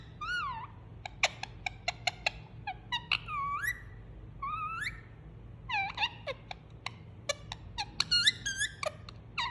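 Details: While enjoying a cuddle, a pet Indian ringneck parakeet makes soothing sounds: rolling whistled notes that swoop up and down, interspersed with quick sharp chirps, busier near the end, over soft room hum.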